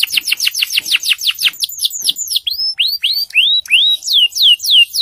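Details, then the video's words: Vigorous, loud canary song used to prompt other canaries to sing: rapid trills of downward-sweeping high notes, then slower descending whistled slurs and a run of sharp rising-falling notes, about three per second. "Pancingan Kenari gacor untuk kenari macet bunyi"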